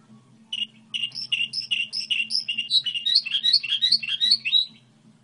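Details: Goldfinch hybrid singing a model song: fast twittering phrases of bright, repeated notes, then a run of quick rising chirps, with a low steady hum underneath.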